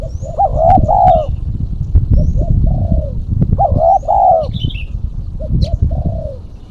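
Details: Spotted dove, a female, giving lure calls: repeated mellow coo phrases, each a short soft note leading into a fuller rolling coo. Strong low rumbling background noise and faint high chirps from other birds.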